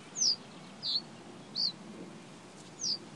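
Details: Reed bunting giving four separate high, slurred notes, each dropping in pitch, spaced roughly every half to one second, against a soft low hiss.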